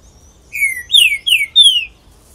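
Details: Green-winged Saltator (pixarro) singing a loud phrase of four clear whistled notes: a long falling whistle, then three shorter downward-slurred notes in quick succession over about a second and a half, against a quiet background.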